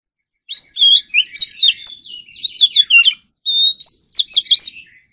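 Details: Oriental magpie-robin, morning singing practice in competition style: after a moment of quiet, two long phrases of loud, fluid whistles and buzzy chatters, split by a brief pause.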